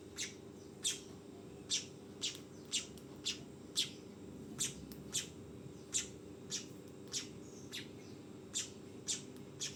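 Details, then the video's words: A fledgling weaver repeats brief high chirps at uneven intervals, roughly two per second, fairly faint above a constant low droning background. "SUARA BURUNG MANYAR TROTOLAN"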